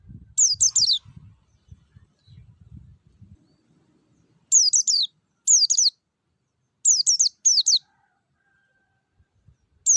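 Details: Lure song of a wild white-eye, intended to make caged white-eyes sing: repeated triplets of high, quickly falling notes in bursts every one to two seconds, with quiet low rumbling early on.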